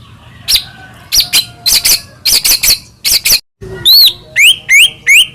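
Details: White-rumped shama lure song for morning use: spaced pairs of sharp, high chattering notes, a brief pause, then four upslurred, rising whistles in a quick series.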